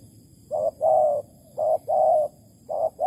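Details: Spotted dove at a Malaysian bird trap set with bare bait, 11 August 2020. It utters mellow paired coos, each a clipped note followed by a longer sustained note, repeated three times about a second apart. A faint constant high hum runs underneath.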